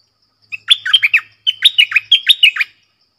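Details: Red-whiskered bulbul song in a clear, bright style: two rapid bursts of loud, rich warbled notes, each with sharp downward slurs and short whistles, about a dozen notes in all, with quiet gaps before, between and after.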